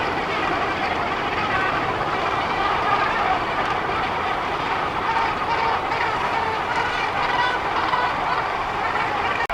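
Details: Breeding Cape gannets massed on Bird Island near Lambert's Bay, South Africa, produce an unbroken wall of sound: countless hoarse, honking calls overlapping into a loud, even roar, with a brief click at the end.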